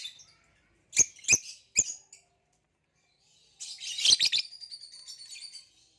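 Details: Caged lovebirds, a green hybrid male and a Nyasa lovebird, giving three sharp, high chirps, a pause, then a scratchy chattering burst with a thin whistled note trailing off.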